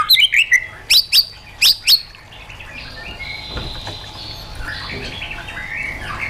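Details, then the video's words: White-rumped shama song in wild-forest style for training caged birds: a quick descending series of whistles and several sharp high double notes, then fading into faint distant warbling over background noise. "KÍCH CHOÈ LỬA HÓT 100%, LUYỆN CHOÈ LỬA HÓT GIỌNG RỪNG HAY MỚI NHẤT"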